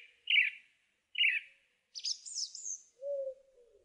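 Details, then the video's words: Song thrush singing: a short buzzy phrase given twice, then a run of high, rapid twisting notes, followed by a lower, drawn-out tone. "Song Thrush Singing"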